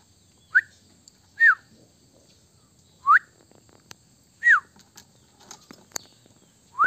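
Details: Indian common myna kept as a pet, calling in a room: five short, clear whistled notes, some rising and some falling, spaced about a second apart, over a faint steady hum.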